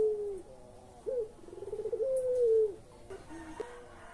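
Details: One full coo from a pelung collared dove, the kind played to prompt lazy or silent birds to sing: falling lead-in, a sharp rising note, bubbling pulses, and a long sliding tone that drops away, followed by faint soft notes.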